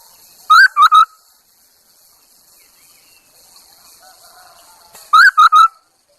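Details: Lure hwamei, a Chinese hwamei decoy, repeats a loud three-note whistled phrase, a rising first note followed by two level ones, twice about four and a half seconds apart, with quiet between.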